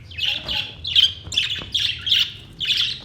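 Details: Budgies sing on 22 May 2023: squawky, scratchy chirps in short bursts, about six bursts over three seconds, with faint low background noise.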